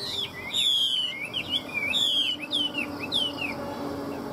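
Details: Caged Chinese hwamei kept for sale in Vietnam, singing a loud, varied song of clear whistled slurs and sweeping notes, some rising and some falling, given in quick phrases with short pauses and faint background hiss.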